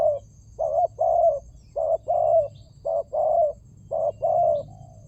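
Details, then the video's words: ['Spotted dove lure call: three repeated cooing phrases, each a short note followed by longer mellow coos, steady and regular over five seconds, with a low background hum.'] "Pancingan burung tekukur"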